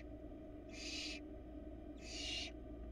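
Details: Barn owl at a Florida nest box in 2022, where the male arrived with a rat for the female. Two long, noisy hissing screeches, about a second apart, over a low constant hum.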